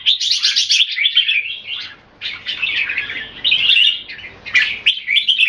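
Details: Red-whiskered bulbul kept in a cage in Singapore, displaying against a rival: quick fluttering trill-like phrase, a short pause, then repeated warbled bursts of chattering whistles.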